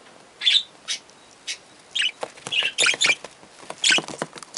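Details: Three young budgerigars chatter in short, high chirps and squeaky twitters, irregular and overlapping, growing busier toward the end.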